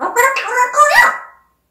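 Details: African grey parrot kept as a pet, talking: a short burst of speech-like, harmonic syllables that rise in pitch near the end, then silence.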